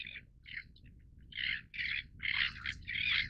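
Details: Great crested tern giving loud, harsh, rasping calls in separate bursts, short at first, then longer grating notes roughly every half second over a quiet background.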